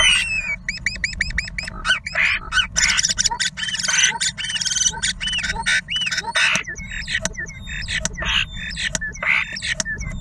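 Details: Two male common starlings fighting inside a wooden nest box during mating season, over ownership of the box; dense chattering of rapid clicks, squeaky whistles and buzzy rattles, with scraping and knocking sounds from the struggle.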